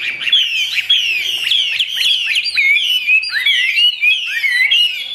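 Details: A caged Chinese hwamei fans its tail as it sings a rapid, continuous run of loud downward-slurred whistles and trills, densely packed and ringing.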